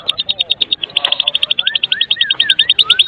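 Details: White-rumped shama of the Medan type, singing to lure other shamas into song: rapid clicking rattle repeated several times a second, with soft rising whistles underneath.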